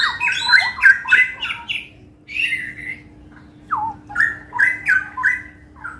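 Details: A caged Straw-headed Bulbul in full, settled song at a West Jakarta bird-shop kiosk gives loud, rich, bubbling warbled phrases in quick bursts with brief pauses, over a steady low hum.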